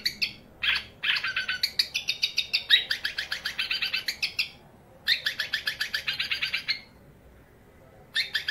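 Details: Long-tailed shrike, a young male aged eight months, giving rapid bursts of harsh buzzy chatter, notes stuttered many times a second in runs of a few seconds separated by pauses; recording intended as a tutor for other shrikes.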